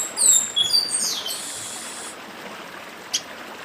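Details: A chestnut-capped blackbird, called papa-arroz, sings 'dedim' beside a stream: several high sliding whistles dropping in pitch and ending in a buzzy rasp, followed by a single short click, with continuous water noise.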